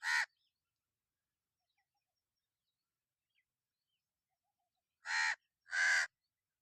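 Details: Single rasping caw from a crow, then near silence for about five seconds, then two more harsh, drawn-out caws in close succession.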